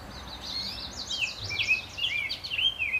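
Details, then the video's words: Fed every five to ten minutes, American robin chicks in a nest inside a satellite dish by a screened porch give a string of squeaky, sliding, up-and-down whistled notes, several overlapping, about three seconds long. "Baby Robins eating"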